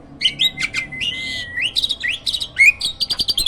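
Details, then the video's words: Hybrid myna kept as a master singer for training caged birds, giving a long steady whistled tone mixed with harsh squawky bursts, then a rapid series of short clipped notes. "JALAK HYBIRD GACOOR!! MASTERNYA PARA JUARA."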